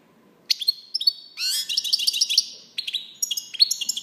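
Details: European goldfinch in a brisk tinkling song: a few clear rising chirps, then a dense run of twittering trills and buzzy notes, ending with more scattered bright chirps.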